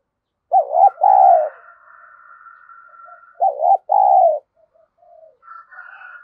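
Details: Cooing spotted dove decoy, a bird used to stir up rivals. It gives two deep double coos, each a quavering note then a drawn-out steady one, with a long thin whistled tone and soft distant coos in between.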